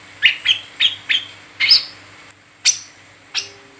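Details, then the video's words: Brown-throated sunbird in its 'ngeriwik teler' chatter, used as a lure for training other sunbirds: five loud bright chirps in quick succession, a short pause, then two sharp, very high single notes. "Burung Kolibri Kelapa Ngeriwik Teler Cocok Buat Pancingan Wiceh Gacor"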